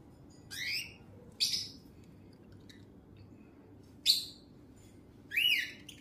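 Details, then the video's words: Pet parrot whistling: four separate bursts, each a sharp, high, sweeping whistle with a harsh edge, spaced one to three seconds apart, over a faint steady hum. "Parrot whistle sound"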